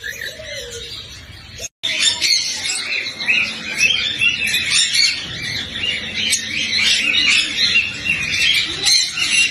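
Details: Cockatiels chirping densely and continuously, a busy stream of high twittering and squeaky notes after a brief cut near the start, with a faint low hum underneath.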